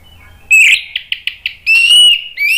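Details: Ngeplong song from an orange-headed thrush: a loud whistled burst, a series of short clipped notes, then a long sustained clear whistle followed by another rising phrase.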